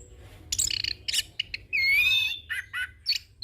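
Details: Young orange-headed thrush in a full rolling training and lure song: buzzy chattering bursts, then a long sustained whistle rising slightly, followed by short falling notes and a closing chirp.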